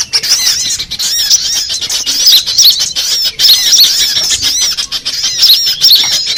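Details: Mixed sunbird lure sound for trapping birds: a steady, dense stream of high, thin twittering chirps, many overlapping, with little pause throughout.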